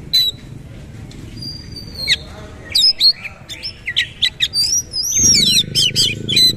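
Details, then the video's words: Bowing-style 'nembak' shooting song of a kacer (oriental magpie-robin). A few sparse whistles build into loud, rapid varied notes and sharp slurs, with a steady low background rumble in the last second. "KACER SUPER POWER NEMBAK GAYA SUJUD SUJUD"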